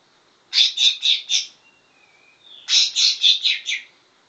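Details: Greater green leafbird copying the grey-cheeked bulbul song it learned: two phrases of four and five loud, scratchy, evenly repeated notes, separated by a faint thin whistle.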